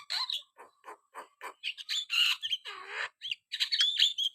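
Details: Javan myna singing steadily: short harsh notes in a broken series at first, then a denser run of buzzy squawks, chattering phrases and clear, sharp whistles near the end.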